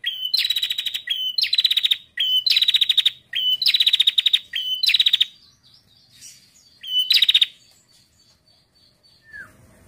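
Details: Female bar-winged prinia calling, used to stimulate males to sing: rapid bursts of harsh, buzzy, ticking notes. Each burst lasts about a second and repeats in quick succession, five bursts early on, then a pause with faint chirps before one more burst.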